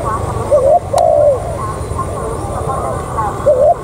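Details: Decoy spotted dove coos: a short rising note and a long falling coo near the start, another rising note at the end, over faint low background noise.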